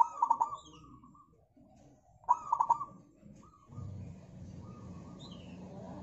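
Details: Local zebra dove song played as a lure for other birds: two phrases of a clipped opening note and fast trilled coos two seconds apart, followed by steady low background noise.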